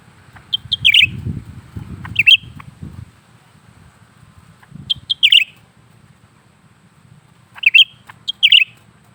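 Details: Caged lesser green leafbird singing repeatedly: short high notes running into bright chattering bursts, several phrases in quick succession, with brief low rustling or knocking noises early on and a quiet low hum.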